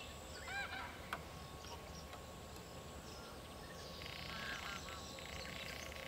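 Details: Northern pintail at the Soča river mouth on 21 May 2022 gives short nasal, honking calls early on, then a burst of rough, grating calls near the end, over a steady hiss of wind and water.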